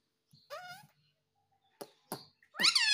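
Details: Shrill drawn-out squawk from a pet talking parrot, then two sharp clicks and a final loud, rising, raspy call.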